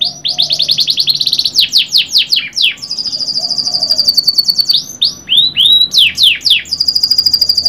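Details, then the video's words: Canary in full song: a buzzy trill, a run of falling notes, a long sustained rolling trill, arching whistles, quick downward sweeps and another long trill, nearly nonstop. "KENARI GACOR PANJANG | CANARY SINGING"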